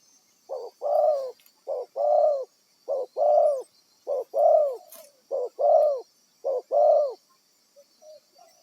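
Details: Decoy spotted dove, wild-caught for trapping, cooing steadily: six paired phrases of a short note and a longer throaty coo, roughly once every second, with a faint high hiss behind.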